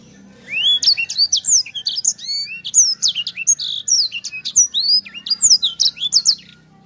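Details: A lively Sanger rolls out a crowded song of shrill chirps and curving whistles, notes tumbling one after another for several seconds over a faint steady low drone.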